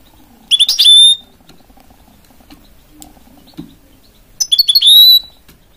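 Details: A goldfinch and canary hybrid mule utters two short phrases about four seconds apart. Each is a quick burst of sharp chirps ending in a drawn-out, high, clear whistle, with silence between.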